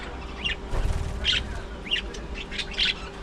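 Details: Several short, bright budgerigar chirps come every half second or so during early morning feeding time, with a faint low rumble underneath.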